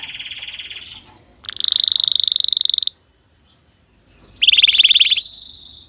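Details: Canary singing to stimulate mating and tutor chicks: loud bursts of fast rolling trills, rich in harmonics, separated by a clear silent gap, with a bright buzzy trill at the end.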